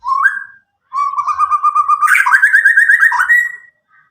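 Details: Young White-rumped shama from Medan, about nine months old, untutored, delivering a loud clear song: a rising whistle, then a long wavering warble climbing in pitch.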